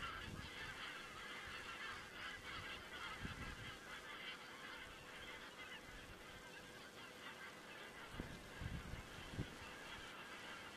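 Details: A distant flock of geese calling on 27 September 2017, Estonia, from a crane-observation webcam; a softer continuous mesh of honks, with a few low knocks late in the clip.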